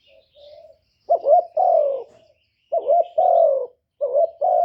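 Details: Spirited spotted dove call used to draw in wild doves: a soft opening coo, then three loud double coos about every one and a half seconds, each a rising burred note and a longer, slightly falling hoot.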